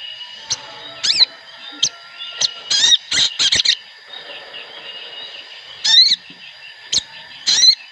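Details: Sooty-headed bulbul, several birds together, sounding bright sharp whistled notes and short chirpy phrases in irregular bursts, separated by quiet gaps with a steady faint high tone beneath.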